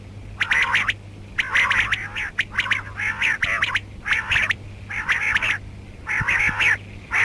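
A female rain quail gives harsh, raspy squawking bursts, each about half a second long and roughly one per second, over a low steady electrical hum.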